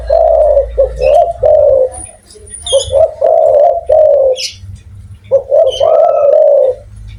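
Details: Spotted dove, a lively loud-voiced bird from Indonesia, giving strong low coos in phrases of two to three notes, a pause near the middle, then a further rising-and-falling coo series; brief high chirps of other small birds above.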